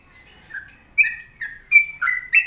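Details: Trucuk, or sooty-headed bulbul, in lively song: a quiet start, then a string of loud, liquid whistled notes that step up and down in pitch, each short and bright.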